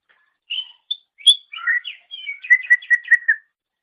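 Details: Greater green leafbird song as a master recording for training songbirds: a few whistled and buzzy notes, then a rapid even series of about six repeated chirps.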